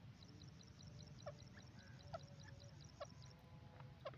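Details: Grey francolin, known locally as gora teetar, calling: short sharp notes repeated about once a second against faint rapid high ticking and a steady low rumble.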